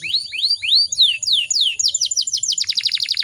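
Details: Caged female canary in breeding condition, used to stir other canaries to sing: a series of arching slurred whistles, each rising then falling, then a fast pulsed trill of short sharp notes.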